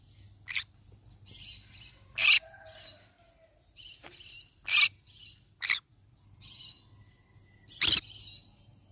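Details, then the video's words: Yellow-sided conure parrot giving harsh, broadband squawks in short bursts, about seven over nine seconds, with softer chattering notes between them in a quiet setting. "Yellow sided conure parrot bird sound"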